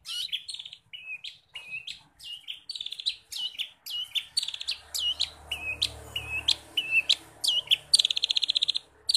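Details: Long-tailed shrike singing a varied, mimicry-filled song of forest-bird phrases, played to train caged shrikes: sharp downward-sweeping notes alternating with short trilled buzzes, ending in a quick stuttering series, with a faint low hum behind.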